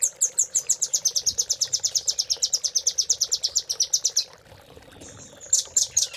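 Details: Rapid, piercing trill of a velvet-fronted nuthatch, sharp chips repeated nearly three per second for about four seconds, then a short lull before more high notes; a tutor song for caged birds.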